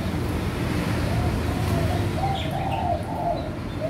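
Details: ['Captive bred spotted dove of a clean white pied colour form with normal eye colour, one of a caged pair: soft low rolling coos run together in a short series, partly buried under loud steady rumbling noise.']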